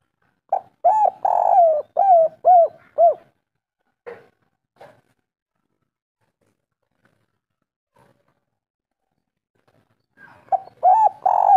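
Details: Local spotted dove of the three-coo (kuk 3) song style, a natural recording used as a lure: a quick run of rounded, wavering coos, then a quiet pause with a few faint clicks, and the cooing picks up again at the end.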